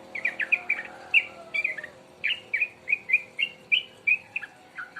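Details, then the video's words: Two-month-old young sooty-headed bulbul just starting to sing: a steady run of short, bright whistled notes, about three per second, some slurred or doubled, forming a chattering, slightly uneven phrase. "burung Trucuk 2bln mulai bunyi"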